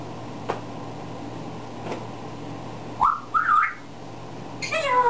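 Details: Pet African grey parrot, one male bird, giving a few short whistled and squawky vocal sounds from its learned repertoire; faint clicks early, then brief rising whistles and a warbling phrase near the end, indoors with steady background hum.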